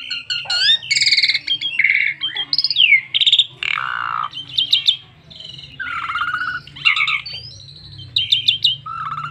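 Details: Asian pied starling singing richly as a lure for other starlings, a long jumbled medley of harsh chatters, clear whistles, squeaky notes and buzzy rattles, with a steady low hum in the background.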